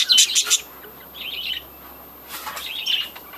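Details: Budgerigars in a breeding colony: a burst of sharp chirps, then a soft wavering warble, a pause with clicks, and another warbling phrase.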